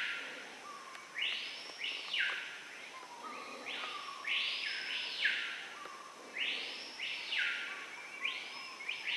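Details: Screaming piha (Lipaugus vociferans) in the Amazon forest at sunrise, giving loud, ringing whistled calls that swoop up and down in pairs, repeated about every three seconds over a steady forest hum.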